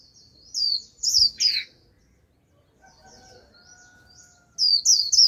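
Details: Japanese white-eye decoy used to call a wild flock, singing loud high slurred twitters in two groups, with a quiet stretch between holding a soft, thin, steady tone.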